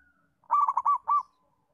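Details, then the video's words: Master call of a local zebra dove, played to make learner doves call often: a burst of quick mellow coos ending on one longer note, otherwise quiet. "Masteran & Pancingan Perkutut Lokal untuk melatih Perkutut Bahan Belajar Bunyi"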